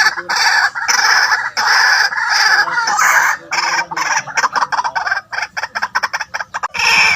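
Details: Harsh repeated notes of a white-breasted waterhen, used to lure birds, at first slow and even, then breaking into a fast stuttering chatter of short clipped notes before a final long harsh note.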